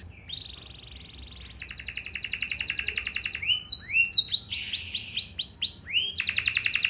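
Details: Canary singing to draw other canaries into replying, ornate luxurious style: opens with a steady thin buzzy note, then rapid pulsed trills, looping rising and falling whistles, and a fast rolling trill at the end.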